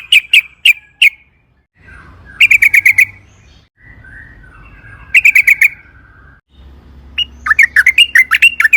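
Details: Sooty-headed bulbul singing 'ropel panjang', the long roll style, a lure recording meant to set other bulbuls singing; short bursts of four to six crisp, ringing chirps separated by pauses, with faint softer warbles in between.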